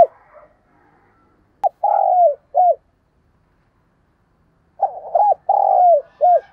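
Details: Spotted dove coo for luring: a short phrase ending in a long rasping note and a brief hoot, silence, then a rolling stuttered phrase with a drawn-out coo and closing hoot.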